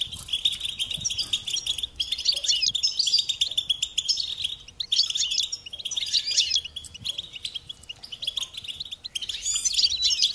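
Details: Long stretch of goldfinch song: waves of fast, bright chirping and buzzy trills rising and easing every couple of seconds.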